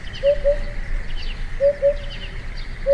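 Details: Eurasian Hoopoe, a rare vagrant at the foot of the Yatsugatake mountains in Japan, giving soft, low, hollow 'hoop-hoop' notes in quick pairs about every one and a half seconds, with faint chirps from other birds and steady hum.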